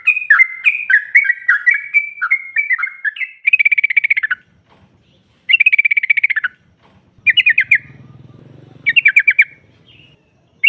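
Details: Female yellow-vented bulbul calling to draw rival birds into answering: rapid rolling chatter in bursts about a second long, separated by short gaps, with a low rumble in the background late on.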